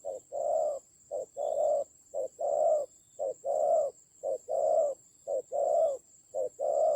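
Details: Spotted dove used as a decoy in a fierce fight, Central Highlands of Vietnam, 19 October 2020: low hollow coos in short-long pairs, a brief note then a longer rolling one, repeated about once a second over a steady high whine.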